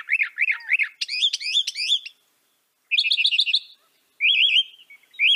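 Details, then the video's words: Mockingbird song of varied phrases: a looping wavering note repeated three times, a rising zigzag series, a short run of rapid chips, then a quick trilled wave, with gaps between each phrase type. "Veja o canto do pássaro, ave zombeteira"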